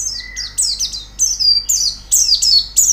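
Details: Loud, clear white-eye song meant to prompt a bird to sing: a series of sharp, very high descending whistled phrases in regular bursts, with a brief lower whistle at the start.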